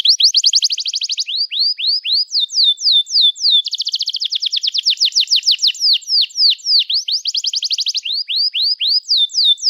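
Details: Canary delivering a long, emotional chirping song meant to coax young canaries into learning to sing; fast buzzy trills alternate with runs of slower downslurred whistles, switching phrase types every one to two seconds.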